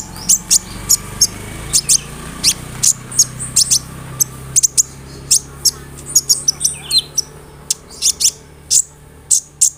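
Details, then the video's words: Song of an olive-backed sunbird played to draw replies from other sunbirds: crisp, high-pitched chips repeated about twice a second, with a short twittering flourish in the middle. "SEMUA BURUNG KOLIBRI NINJA AKAN NYAUT DENGAN SUARA KONIN INI"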